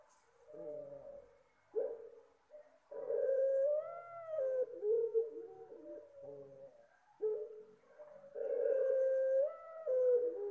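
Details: Soft call of a Puter Pelung dove, used as a lure for birds: long, rolling, hooting coos with a mellow tone, rising and bending notes in several phrases separated by short pauses.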